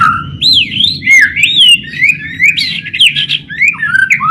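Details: White-rumped shama song as a singing lure, a continuous flow of loud looping, rising and falling whistles and slurs with a few sharp chirps, over a low steady hum.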